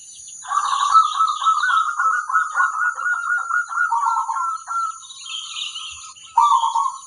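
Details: Local zebra dove in song, used as a lure so other zebra doves respond. A long continuous stream of fast, slightly wavering trilled notes lasts over four seconds, then a short second phrase follows. Steady high hiss behind.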